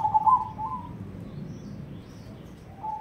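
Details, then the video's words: Crossbred zebra dove of cemani colour singing in the ketekdobel rhythm style: a low, soft, pulsing coo in the first second, then quiet background hum and a short coo again at the very end. "perkutut crossing warna cemani gacor irama Ketekdobel"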